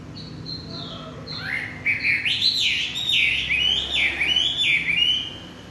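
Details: Chinese hwamei evening song: a few soft descending whistles, then loud, bouncing, repeated phrases of rising and falling notes delivered rapidly for about four seconds.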